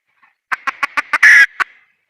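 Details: Wild red junglefowl hen calling: five quick, evenly spaced clucks build to one loud, harsh, drawn-out squawk, then a final single cluck. The background is quiet.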